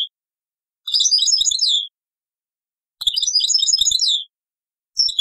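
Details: Taqsraine song of a European goldfinch from an old cassette tape: repeated phrases of about a second of jumbled, bright high twitters, with silent pauses of one to two seconds.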